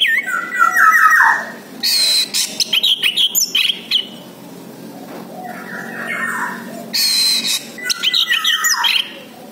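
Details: Orange-headed thrush song played as a lure to draw answers from other birds: loud, varied bursts of rich whistled phrases and rapid chattering notes, separated by short pauses.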